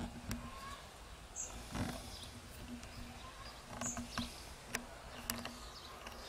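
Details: Starlings at a tree-mounted nest box, working on their nest and gathering food for their brood, give quiet varied song: sharp dry clicks and ticks scattered throughout, a few short high whistles and brief low buzzy notes, with background hum.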